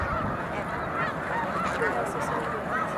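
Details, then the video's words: Snow geese gathering in huge numbers on the mucklands near Montezuma, New York, in March 2022; a dense, steady chorus of overlapping nasal honks from a large flock, with low rumbling background noise throughout. "Snow Geese at Montezuma mucklands"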